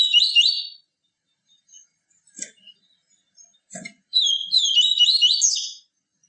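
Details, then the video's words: Captive yellow-bellied seedeater with its pure 'tui tui viviti' song. Two bright, rapid twittering phrases of jumbled high notes frame a quiet gap broken by a couple of soft knocks. "CANTO DO PAPA CAPIM TUI TUI VIVITI, CANTO PURO"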